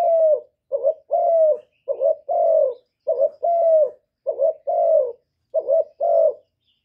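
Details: Spotted dove, a kept decoy bird, giving repeated coos meant to excite newly caged doves; evenly spaced pairs of soft throaty notes, a brief clipped note followed by a longer falling one, about eight in a row; quiet background.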